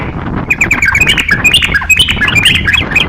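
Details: Crocok-cokan singing energetically, offered as a master song for training songbirds: a dense, rapid run of sharp chirps and short slurred whistles, many notes each second, with a busy background hiss.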